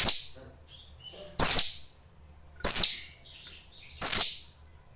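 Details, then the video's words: Hill prinia in captivity giving loud, high, sharply down-slurred notes that end in a level tone, repeated about every one and a half seconds, with faint soft twitters between them. "suara ciblek gunung gacor"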